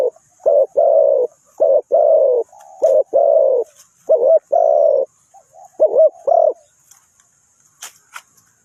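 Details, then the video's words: Trapping decoy spotted dove cooing steadily: about six phrases of a short note plus a longer grating coo, low and hoarse, ending in quiet with a couple of faint high clicks. "นกเขาใหญ่สายต่อดิน,The Sound Of the dove"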